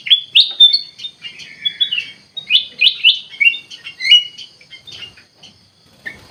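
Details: Kutilang emas, the ruby-throated bulbul, in full gacor song: lively chains of clear whistled notes and slurred warbles pouring out several per second, fading to a single short note at the end.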